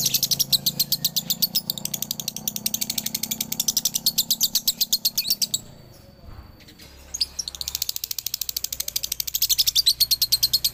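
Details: Male lovebird from Galendo, Ciamis, in the long 'dobelan' trill for training: rapid high chattering chirps, a short silent gap with a thin tone and faint low noise, then the fast shrill trill returns.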